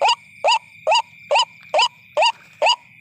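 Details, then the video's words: Calls of the white-breasted waterhen (ruak-ruak), played to attract the birds after dark: seven loud, rasping, rising notes spaced evenly about every half second, over a continuous high tone. "WATERHEN SOUND / DAK FAKHIR DAK / SUARA RUAK-RUAK/ TIKLING BIRD SOUND"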